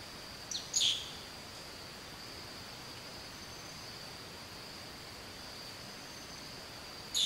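A Red-headed manakin gives a sharp, high, snapping call near the start and another at the end, over a steady high insect drone.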